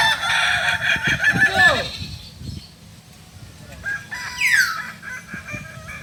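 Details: Kokok Balenggek rooster of Solok, West Sumatra, during a crowing practice: a loud sustained crow ends with a falling slur, followed by quieter background, a sharp downward-sweeping whistle, and steady low hum.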